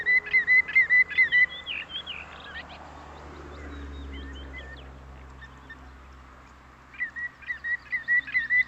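A common greenshank gives ringing, even-pitched whistled notes in quick runs, with a quieter gap between bursts and a low rumble in the background.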